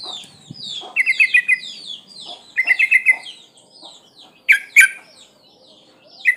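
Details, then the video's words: Calling to draw males, a breeding-condition female sooty-headed bulbul utters short chattering runs of quick notes, among many downslurred whistles and sharp notes from other birds. "Suara pancingan burung trucuk gacor"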